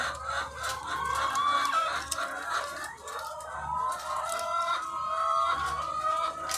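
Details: Thousands of egg-laying hens on a farm, a dense overlapping chorus of clucks and drawn-out cackling calls, many birds at once forming a continuous loud din with a steady low machinery hum beneath.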